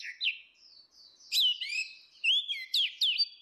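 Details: Loud ngeplong singing by female and male orange-headed thrushes, played as a lure: a continuous run of sweet whistles, slurred up and down, broken by sharp chirps near the end.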